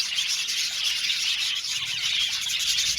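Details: Budgie flock chattering in an aviary: unbroken high-pitched chirps and warbles from many birds overlapping into a constant bright twitter, with no pauses.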